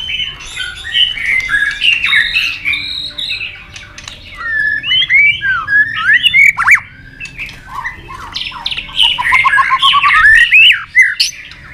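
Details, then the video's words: White-rumped shama in a singing duel, flicking its tail and bobbing on its perch, delivering a long wild-style song of rich whistles, buzzy chatter and swooping slurs, ending with a rapid rising trill. "chòe lửa đập đuôi nhấp cầu hót đấu giọng rừng dài"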